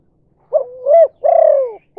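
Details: Spotted dove giving the 'kuk 2' call style, used as a lure to attract other doves: a short coo, a rising double coo, then a long drawn-out falling coo, all low and mellow, quiet background.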